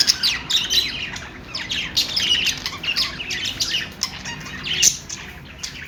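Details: Cheerful budgerigar noises, a lively mix of sharp squawks and fast sliding chirps, several birds chattering at once with brief louder peaks near the end.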